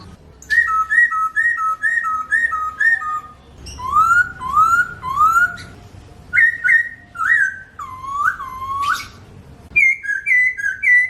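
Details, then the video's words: Clearly recorded Chinese hwamei song, no sound effects: quick paired whistle runs, a sequence of rising swooping slurs, then dipping looped notes and a final set of bright repeated whistles. "kicau merdu poksay hongkong"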